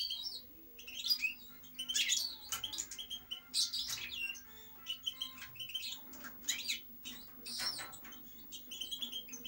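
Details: Twittering European goldfinch song: bursts of bright tinkling notes, rasping buzzes and thin high whistles, interrupted by short gaps, with a faint continuous hum behind.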